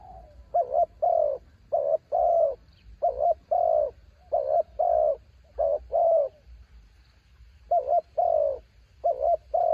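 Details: Mountain-caught decoy spotted dove in strong wind: paired low coos, a short clipped note then a fuller held coo, repeated steadily about every second, with one longer gap near the end.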